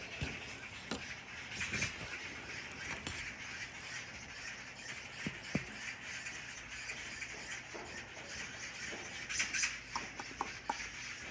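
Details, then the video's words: Several neighbourhood Oriental magpies have gathered and give harsh, rattling chatter in irregular bursts, some loud and close, over a steady hiss of outdoor background noise. "동네 까치들 단합대회"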